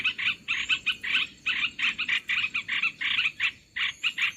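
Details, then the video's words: Olive-winged bulbul calls used to lure birds into traps: rhythmic clusters of rich chattering notes, repeated about twice a second with short gaps, the background otherwise quiet. "SUARA MIKAT BURUNG MERBAH BELUKAR"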